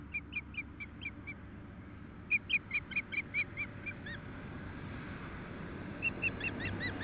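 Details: Short, high whistled chirps from an Osprey nest near Nelson, B.C., at the first feeding on 12 June 2014, coming in two quick series of about six notes, then fainter ones near the end, over a low steady hum.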